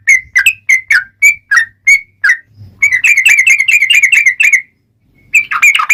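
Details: Lure song of a sooty-headed bulbul in long rolling 'ropel' style: spaced whistled notes at first, then a dense fast trill of chirps, a pause, and a final burst of tumbling notes.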